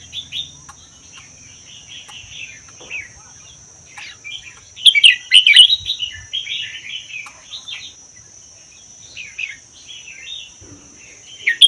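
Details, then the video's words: Red-whiskered bulbul, a Vietnam–Laos wild bird kept for a year, delivers continuous chattering song with a loud rich warbled outburst near five seconds, then lively phrases; faint low rumble early; played to set other bulbuls singing. "นกกรงหัวจุกป่าเวียดลาว ชำใว้1ปี เบิ้ล80% เปิดกระตุ้นนกฟังนกร้อง"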